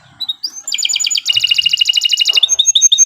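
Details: Canary song for training other birds: rapid trilled tours of repeated notes around 3–7k, a fast buzzy roll, then spaced clear whistled notes.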